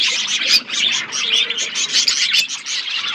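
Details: Feeding pet budgerigars fill the air with continuous high-pitched chirping and warbled chatter, many birds calling at once, with a couple of sharp clicks.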